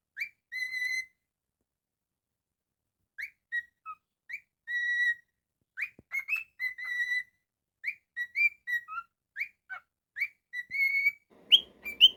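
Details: A male pet cockatiel sings a whistled tune of sustained level notes mixed with quick upward slurs and an occasional dipping note, phrases repeated in clusters with pauses of up to two seconds between them.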